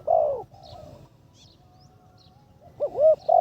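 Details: Spotted dove in decoy training, third session, calling on the ground. A long falling coo opens, then a quiet stretch, then a fresh phrase of two looping notes and a drawn coo that is cut off at the end.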